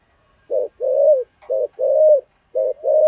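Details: Spotted dove calling as a decoy, thổ voice: three paired phrases, each a short clipped coo followed by a longer, steady, slightly rising hollow coo, about one pair per second, clean background.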